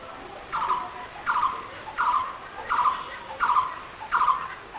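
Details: Blue-throated barbet calling: a mid-pitched, slightly descending note repeated steadily about every 0.7 seconds, six times, over a faint hissing background.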